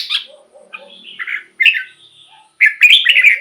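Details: Caged red-whiskered bulbul song, played to excite caged birds and lure wild ones: bursts of bright, warbling whistled phrases around the upper-middle register, separated by short pauses, with softer low chatter between.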